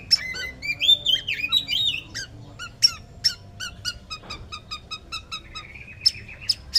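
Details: Male white-rumped shama song in a small room: varied whistled phrases, buzzy trills and sharp clicking notes in a jumbled sequence over a constant low hum.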